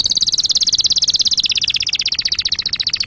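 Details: Continuous canary trill of very fast, evenly repeated high notes, roughly fifteen per second, sustained throughout with slight drops in pitch.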